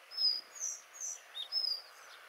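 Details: A Collared flycatcher sings at Björke, Gotland, in May 2011: a short, unhurried phrase of thin, high, squeaky whistles, some notes drawn out and slightly falling, over a faint background hiss.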